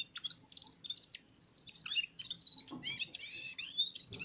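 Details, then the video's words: Red-fronted serins and other small finches singing in unison: a dense, continuous stream of rapid high chirps, trills and slurred notes, overlapping with no pauses. "Попели поели и опять попели в Унисон Красношапочные вьюрки"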